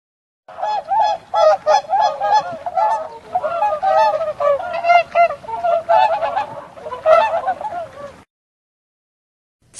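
A swan gives loud, nasal honks in quick succession, several each second, for about eight seconds.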